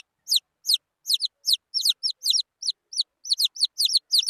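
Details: Several wild junglefowl chicks peep in overlapping, high, down-slurred notes, some doubled, forming a busy irregular chatter.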